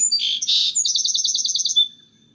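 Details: Song sparrow's stuttering, plattering song: a couple of sharp high introductory notes and a dense buzzy burst, then a fast, even trill of repeated chips, ending in a brief thin note. Clean recording with no other sounds.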